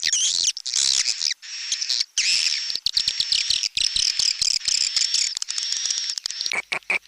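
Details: Swiftlet calling in tarik langgeng style: shrill chatter opening into a long steady high whistle-like twitter, broken by quick clicks and short silences.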